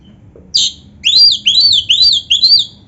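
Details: Oriental magpie-robin (kacer) singing with canary-song filling. One short buzzy note, a pause, then four loud whistled phrases, each swooping up then down, spaced roughly half a second apart.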